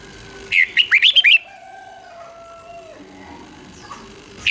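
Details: Red-whiskered bulbul from Thailand, song played to excite caged birds: one short burst of five rapid, chirpy, up-and-down notes, followed by a steady faint whistling tone and a low background hum.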